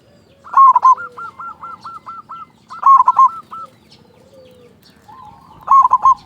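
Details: Local zebra dove with a loud voice, used as a lure to stimulate other doves and make them sing sooner. Three bursts of rolling, stuttered coos, two followed by a run of short, evenly spaced hooked notes, over a faint low hum.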